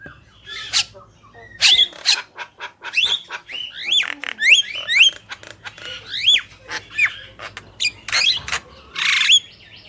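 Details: Black-winged myna song from a male and female: a run of rising whistled hooks among harsh squawks and clicks, with a raspy burst near the end.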